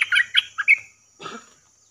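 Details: Bulbul call recording used to lure wild birds: a quick run of four bright chattering notes in the first second, then a softer rough burst.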